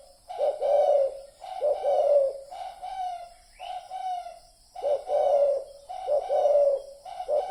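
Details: Lure recording of a spotted dove: strong, rough-toned coo phrases delivered back to back, each a quick lead note followed by a drawn-out croo, roughly six phrases with a brief high squeak midway.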